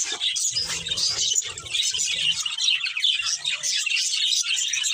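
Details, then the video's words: Budgerigar breeding pair in busy high chatter, quick squeaky tweets over a scratchy warble, with soft low thumps early on. "Cute Budgies Chirping Sounds"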